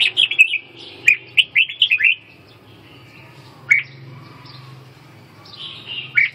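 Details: Red-whiskered bulbul pouring out rapid bright chirps at first, then single sharp whistled notes after a gap, a low hum running throughout.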